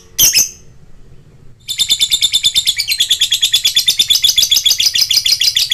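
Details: Lovebird song from a lure recording for fighter birds: one harsh shriek, a pause, then a long rapid trill of fast, high, buzzy chirping notes pulsing many times a second.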